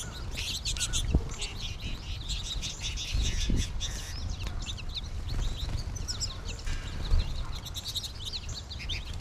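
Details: Large wintering American goldfinch flock in March, before it thins out: continuous busy chatter of many bright high chirps and twitters overlapping throughout, with a constant low rumble and occasional thuds underneath.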